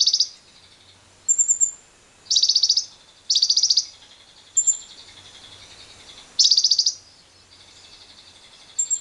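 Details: Lovebird long trill, the ngekek style, played as a lure to set other lovebirds trilling, together with wild birds: high buzzy rattling bursts about half a second long, four of them, separated by pauses, with thin high whistled notes between.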